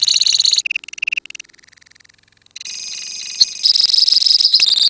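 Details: Lovebirds kept in a colony trilling ngekek: choppy high rattles, then a softening run of quick ticking notes, followed by a rising wall of loud, continuous shrill chatter to the end.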